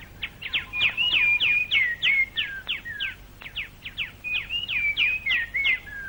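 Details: Plain babbler's forceful later-day song from Malaysian rainforest, recorded late 1950s to early 1960s: two long bursts of rapid, sharp chattering notes threaded with whistled rising and falling slurs, barely pausing between them.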